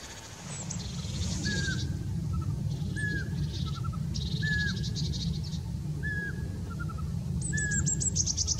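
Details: Eurasian pygmy owl song: a clear, level whistled note repeated about every one and a half seconds, each followed by a quick little stutter of softer notes, over steady low rumbling wind and high twittering from other birds.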